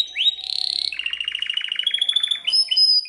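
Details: Belgian canary song: a rising sweep into a sustained buzzy note, then a rapid pulsed trill that slowly climbs, ending with clear high whistled notes.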